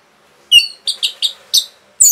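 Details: Orange-headed thrush singing fast to excite other birds, a clear whistled note followed by four short buzzy chirps and a sharp high upslur.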